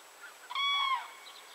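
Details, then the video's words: Common crane giving one loud, trumpeting note about half a second long, steady then dipping slightly at the end, rich in overtones, over a quiet background with faint distant calls. "Common Crane / Żuraw"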